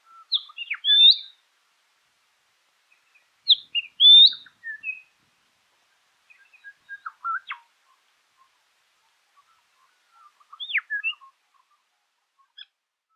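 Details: Southern Scrub-Robin, Gordons Road scrub, Meningie East, South Australia, 1 August 2021: bursts of high whistled and upslurred notes about every three seconds, separated by quiet gaps with thin scattered chirps.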